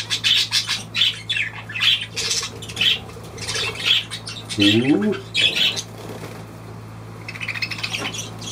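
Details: Budgerigar giving a run of harsh, squawky chirps repeated roughly twice a second, then a softer warbling stretch; a person's brief spoken word cuts in midway over a constant low hum.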